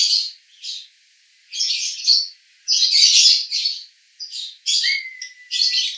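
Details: Konslet song from a male lovebird, Cibinong, Bogor: uneven bursts of loud, grating high chatter separated by brief silences, plus a faint steady whistled tone near the end.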